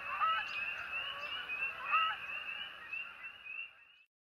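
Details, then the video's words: A flock of Canada geese gives loud, nasal, overlapping honks, about three a second, blending into a steady clamour that fades out after four seconds. "Canadian Geese Honk"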